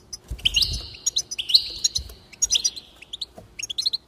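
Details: Goldfinch singing, meant to stimulate another bird into song: rapid liquid twitters run into drawn-out buzzy tones, then scattered quick chirps near the end.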